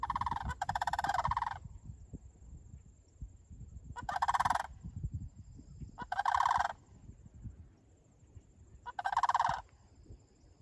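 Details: Sandhill cranes near Lake Sallie giving loud, rolling, trumpeting rattles in four bursts about two seconds apart, each lasting under a second except a longer opening call, over faint low background rumble.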